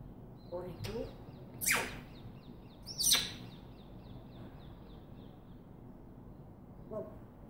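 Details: Pet African grey parrot whistling and talking: two loud sweeping calls around two seconds and three seconds, with a run of faint high chirps between them and a short low call near the end; a person then speaks.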